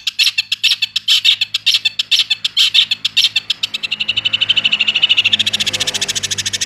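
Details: Energetic cendet (long-tailed shrike) song: a choppy run of high chattering notes, then a faster, denser rolling trill of sharp repeated notes, with a light background hum.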